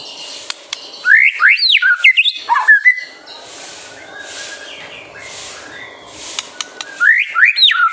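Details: White-rumped shama master song intended to provoke young birds: bursts of steep rising whistled sweeps at start and end, a quieter middle with soft breathy rushing sounds.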